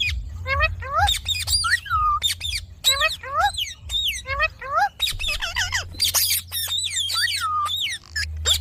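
An Indian ringneck parakeet chatters in quick, squeaky, up-and-down phrases, mixing shrill whistles and speech-like babble, over a low steady hum.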